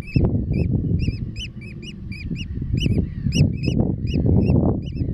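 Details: On the grassland and mudflats of Terschelling, the Netherlands, Eurasian oystercatchers call in a quick series of loud, piercing, arched piping notes, roughly three per second, with low rumbling underneath.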